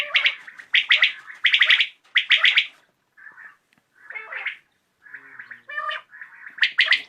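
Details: Common quail recorded in the evening gives bright, liquid bursts of notes roughly every second, then a looser run of softer, varied chirps and a final pair of bursts.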